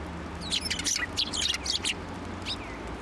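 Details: Sparrows landing on a hand for food at a Tenmangu shrine, 1 January 2024; close, busy twittering of quick chirps and short squeaky notes across about three seconds.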